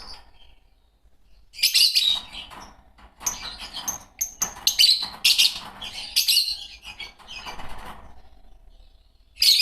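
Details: Green Fischer's lovebird pair: after a quiet start, a long run of loud, shrill, rasping chirps and short thin whistles, in clustered bursts.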